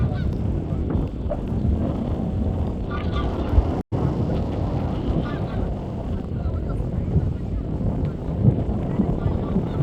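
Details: A greylag goose that has fallen behind its flock gives harsh, nasal honks, partly buried under a heavy, steady low rumble of wind-like noise.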